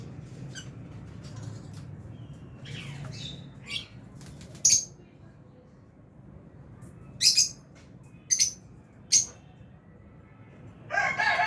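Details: Albino and Fisher's lovebirds in an aviary, feeding, give scattered sharp high chirps, single and in short pairs, separated by quiet gaps over a low steady background hum.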